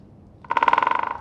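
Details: A great spotted woodpecker (Dendrocopos major) drums on an oak: one quick, resonant roll of about fifteen strikes lasting under a second, fading slightly at the end, with otherwise quiet background.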